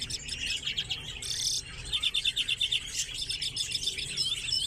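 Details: Common redpolls in an aviary shared with chaffinches: dense high chattering of rapid, buzzy twittering notes from several birds, broken by a brief harsh rasping burst early on, then pulsing trilled series.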